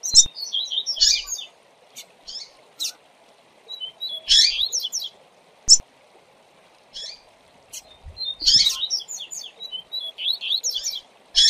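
A double-collared seedeater sings bright, twittering phrases of quick high chips and buzzy slurs, repeating about every four seconds over a low steady hum.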